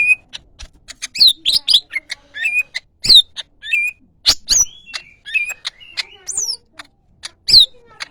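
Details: Greater green leafbird delivering a dense, varied song of sweet slurred whistles, sharp chips and squeaky notes in rapid succession, some phrases sweeping upward, with only short gaps between bursts.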